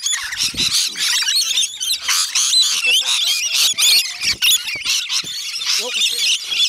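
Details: Many rainbow lorikeets screech nonstop while being fed at Bungalow Bay Koala Village, Magnetic Island, Queensland. The calls are piercing and chattering and heavily overlapping, with some brief human speech near the start.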